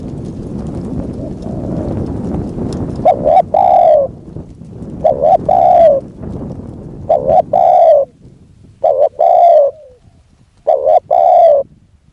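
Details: Spotted dove serving as a decoy to draw in a wild dove, repeating doubled coo phrases about every two seconds after an opening stretch of rustling background noise.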